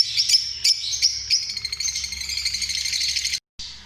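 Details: Lovebirds, small parrots, producing quick shrill chirps that merge into a buzzing, rapidly pulsed chatter, about three notes per second, ending in a short cut of silence.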